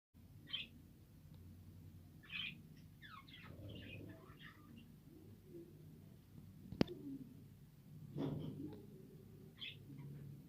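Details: Pet budgerigars eating soft foods on 3 November 2023 give short, scratchy chirps and warbled notes over a low background hum.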